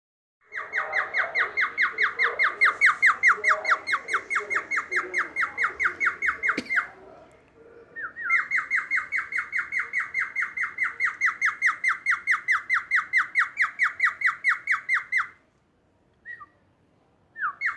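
A cockatiel imitates a siren with a fast, steady run of loud, buzzy, pulsing notes.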